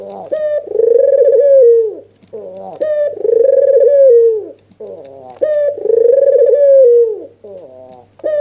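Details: Agitated nodding call of a red-eyed white (albino) dove, used as a lure to make a reluctant dove answer; three drawn-out, slightly falling coos about every two seconds, each ending in a quick broken flutter of notes, indoors.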